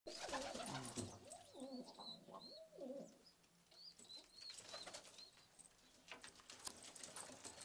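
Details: Istanbul pigeons with pearl or red eyes cooing: low, rolling coos rising and falling in rounded swoops over the first three seconds, with thin high whistled notes and a steady background hiss afterward.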